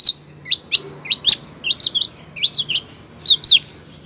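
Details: Female long-tailed shrike calling to the male: quick bursts of sharp, high chirping notes in short clusters, about eighty per minute at uneven spacing, over a faint low hum.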